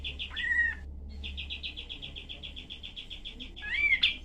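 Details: A cream-vented bulbul delivers 'tembak' shooting-style song, with rough, varied, tight and sharp bursts kept as tutor material for cage songbirds. Rapid high chips pour out in a steady stream, framed by sliding whistled notes at the start and end.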